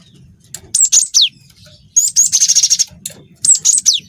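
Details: Cinereous tit singing phrases described as packed with canary-like fill-ins: quick high slurred notes dropping in pitch, then a rapid buzzy rattling trill, then more sharp descending whistles.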